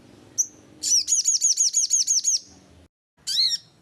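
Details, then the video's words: Lure call for sogon: a thin high note, then a quick string of about ten bright downslurred chirps at an even pace. A brief silence follows, then one loud chirp. "suara sogon cocok buat pancinggan sogon"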